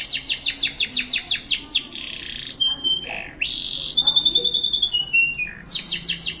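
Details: Canary from Pancoran, South Jakarta, in full energetic song: quick repeated chirps, a harsh buzzy note, clear high sustained whistles stepping downward, then renewed rapid chirping trills.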